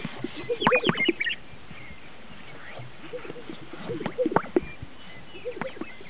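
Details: Displaying greater sage-grouse at a northern Utah lek: bursts of swishing wing and feather noise followed by popping, bubbly double notes, several displays overlapping across the recording.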